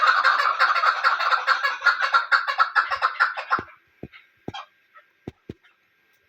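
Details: A female chukar, used as a hunting call bird, gives a fast, harsh run of clucking notes, about seven a second, for nearly four seconds, then a few scattered sharp clicks.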